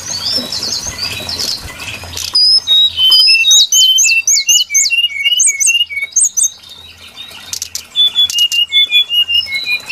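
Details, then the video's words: Lure call for trapping, brown-chested jungle flycatcher: a noisy scratchy start, then crisp high upslurred notes repeated in rapid series, followed by spaced short whistles. "Suara pikat burung sikatan SRDC Sikatan rimba dada coklat"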